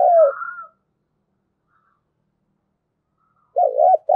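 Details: Decoy spotted dove cooing to lure wild birds; the tail of a falling hoot opens, followed by a long gap and a final wavering, undulating coo.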